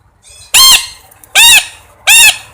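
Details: Three strident parrot squawks, short and heavily harmonic, arriving about every three quarters of a second with near silence between them.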